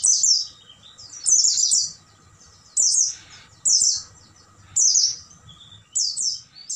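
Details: Oriental white-eye at night, a training recording for caged birds: short bursts of very high, fast twittering, each phrase falling in pitch, repeated about every second, with soft low background murmur.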